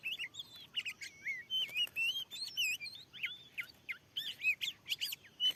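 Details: Fierce wild Oriental magpie-robin drawn in by a lure at a freshly set trapping spot; loud rich whistled song of rising and falling slurs, quick varied phrases separated by short pauses, with sharp clicking notes between.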